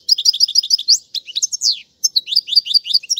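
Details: Goldfinch song intended to train fledglings. Evenly spaced sweet chirps open the phrase, followed by burry slurred notes, a short silence and a return of bright rapid twittering.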